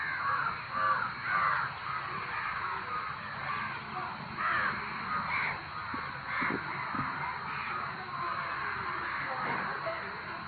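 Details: A crowd of crows caws noisily, a raucous overlapping chorus with louder bursts roughly every second and occasional short knocking sounds.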